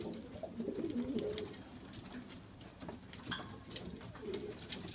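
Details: Low, throaty cooing from racing pigeons with 1-2-day-old chicks in a loft in Oradea, Romania, on 29 March 2015. One wavering coo near the first second, a brief one later, and scattered clicks and rustles.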